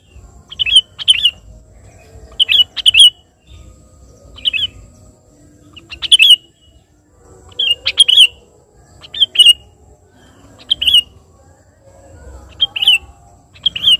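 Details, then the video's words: Sooty-headed bulbul in vigorous song meant to call a rival, bright chirped phrases repeated every one to two seconds throughout, some doubled, over soft low ambient noise. "suara burung KUTILANG GACOR memanggil lawan"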